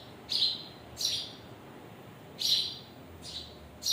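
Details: Birds, parents with their chicks, chirping: sharp, bright high chirps at uneven gaps of about half a second to a second and a half, five in four seconds, over a low steady hiss.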